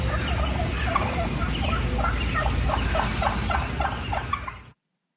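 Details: Wild turkey clucks, the contented call of birds moving and feeding in a flock: short dropping notes repeated about every half second over a heavy low rumble of background noise.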